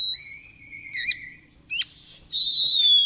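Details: Caged oriental magpie-robin in fighter singing form: a long level whistle, then a wavering trill, a sharp rising note and a final sustained clear whistle slowly falling in pitch.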